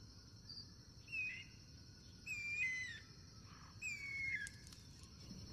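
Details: Guira cuckoo recorded wild in its natural surroundings, cross-singing: three fairly faint whistled notes slurring downward, spaced over a second apart, against a constant high-pitched insect drone.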